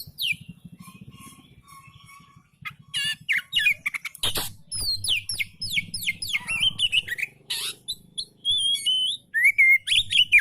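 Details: Relaxed oriental magpie-robin song meant to stimulate lazy magpie-robins to sing: quick varied whistled phrases, many falling and rising notes, rapid chirps and a final clear slurred whistle, over a faint low hum.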